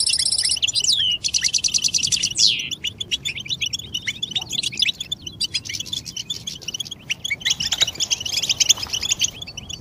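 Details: European goldfinch twittering and mating calls, used to stimulate silent males to sing: rapid high chirps, then buzzy rattling trills and a sweeping slurred note, followed by a long run of quick scattered twitters.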